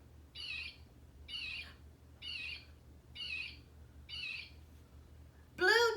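Blue Jay giving five harsh, raspy 'jay' screams, evenly spaced under a second apart, before a brief louder voice cuts in at the end.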